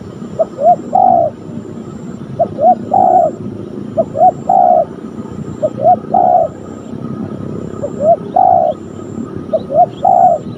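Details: Cooing of a spotted dove (tekukur) during a young decoy's first ground-training session where a fierce wild bird turned up; a rhythmic phrase of two quick coos and a longer coo repeats about every two seconds, steady and soft.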